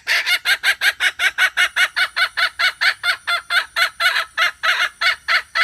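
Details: Hen calling continuously as a trapping decoy, 2021: an unbroken series of harsh, nasal clucks repeated about three times per second at a steady, loud level.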